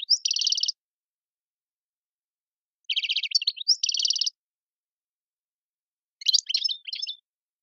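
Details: Goldfinch song in the tiwawati manner from Algeria, buzzy pulsed trills delivered in separate bursts a few seconds apart, closing with a phrase of sharp high twitters.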